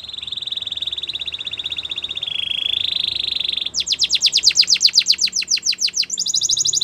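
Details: Singing canary, used to train young birds: a sustained rolling high trill for several seconds, then a rapid series of sharp descending sweeps, ending in another brisk trill.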